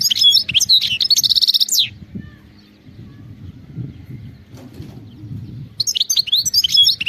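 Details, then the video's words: A European goldfinch sings in the wild-type khalawi manner: a high, twittering phrase ending in a buzzy trill, then several seconds of low rustling and murmuring, then the bright twittering starts again. "singing carduelis"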